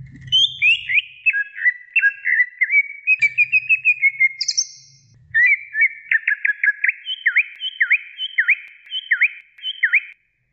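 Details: Greater green leafbird (cucak ijo), a female calling to the male. Sliding whistled phrases and trills come first, then a brief pause and a series of sharp, V-shaped swooping chirps repeated about twice a second. Faint low rumble early on.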